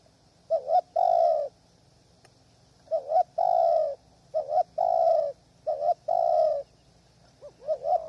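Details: Spotted dove calling at a hide set up to attract wild doves in strong wind: loud, mellow coos in phrases of two short notes and a longer drawn-out coo, repeated four times with pauses.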